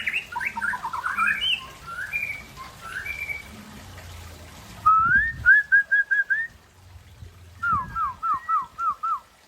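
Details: An Aceh white-rumped shama in afternoon song, first a jumble of varied fluting and warbled whistles, then crisp rapid runs of short repeated whistled notes, some downslurred, separated by brief pauses.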